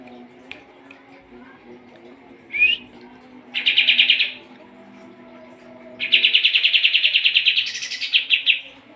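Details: Sooty-headed bulbul, a singing bird used as a training song for competition birds. It gives a short rising note, then two bursts of rapid, evenly pulsed trilling, the longer ending in a higher upswept flourish. A faint low hum underneath.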